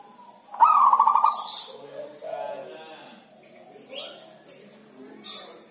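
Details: Zebra dove kept by its owner, singing little in the rainy season: a short, loud, pulsed cooing trill, followed by softer murmurs and sharp high chirps from other birds.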